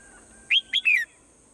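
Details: Morning swallow song: a single clear phrase of two short bright whistles rising and falling, then a longer note sliding downward, with a faint constant high hiss.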